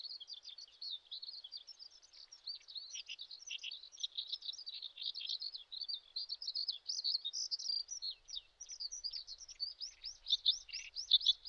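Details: Common sandpiper parent watching over active chicks on a riverside gravel bar in the Shin'etsu region of Japan, late May. Dense stream of high, rapid chirping notes, irregular and overlapping, growing louder near the end.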